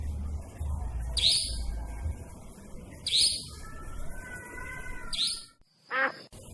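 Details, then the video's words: Nightjar at night, its call called frightening. Brief hoarse rasping notes come at roughly two-second intervals, with a thin whistled tone in between and a low background hum. "Suara burung Iblis II si cabak iblis malam"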